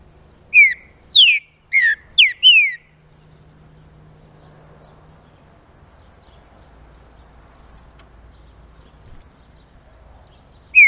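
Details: Green-winged saltator song meant to stimulate rival saltators: a quick series of five loud downward-slurring whistles, followed by several seconds of quiet low background hum, then the first note of the next phrase.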